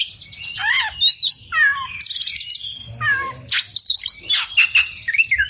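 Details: Kacer, or Oriental magpie-robin, in a caged-bird tutoring recording: loud varied phrases of falling whistles, harsh rasps and quick chattering notes, with brief pauses between bursts.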